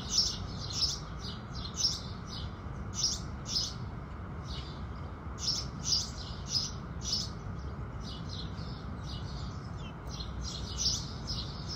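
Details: House sparrows singing as the sun rises, with bright chirps in short bursts and some fainter ones between, then a quieter pause before chirping resumes, against a low background rumble.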